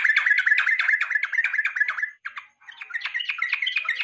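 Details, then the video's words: Yellow-vented bulbul singing in the evening for training songbirds: a dense, rapid stream of harsh chirping notes, a short break, then more scattered bright chirps. "KICAU PANCINGAN BURUNG TRUCUK SORE HARI"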